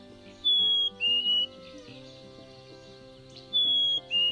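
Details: Black-capped chickadee (Poecile atricapillus) whistling its clear two-note fee-bee spring mating song, already heard in mid-winter: a high note then a slightly lower one, given twice about three seconds apart over soft background music.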